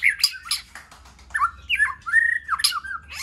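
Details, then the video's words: White-rumped shama in varied song, a recording meant to excite shamas into singing: harsh squeaky bursts mixed with mellow sliding whistles and a long level whistled note, low background hum. "Kích Chòe lửa hót nhiều giọng,Căng lửa,chòe lửa đánh đuôi kích cực nhạy.luyện chòe lửa hót"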